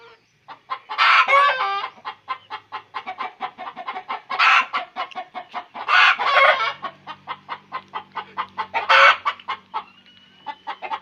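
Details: Chicken's egg-laying cackle: fast steady clucking broken by four loud harsh squawks, with a faint low hum in the second half.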